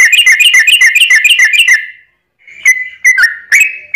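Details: Yellow-vented bulbul singing to provoke other bulbuls: a fast, even run of bright chattering notes, a short silence, then a few separate bubbly whistled notes.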